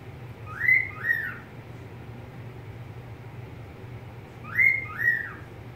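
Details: Pet budgerigar producing two-note whistles, a higher sliding note followed by a lower falling one, the pair repeated after about four seconds over a steady low hum.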